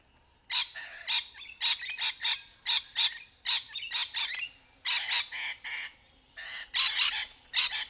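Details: Rainbow lorikeets playing in trees, with mating and courtship calls: harsh, rapid, high, grating screeching squawks in bursts of several notes, repeated steadily with no other sounds.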